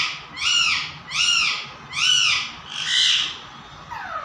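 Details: Pet parrot giving four loud, harsh arched squawks, evenly spaced about every 0.8 seconds, the last one broader. A faint descending note follows at the end.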